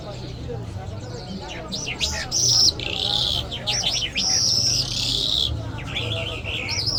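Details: Mashhadi-style Iranian lark in full song: looping whistled slurs and buzzy sustained high notes strung together without pause, over a steady low hum of background music.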